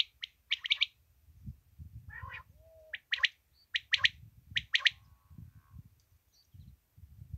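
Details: Common quail recorded in Pakistan for hunting use, giving sharp, high, clipped notes in quick clusters of two or three, repeated every second or so, over a low rumbling background.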